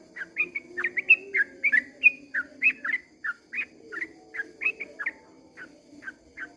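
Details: Sooty-headed bulbul at dawn, singing the long 'ropel' song. Rapid, slightly irregular whistled notes bend up and down, then gradually grow quieter toward the end, over a faint droning background.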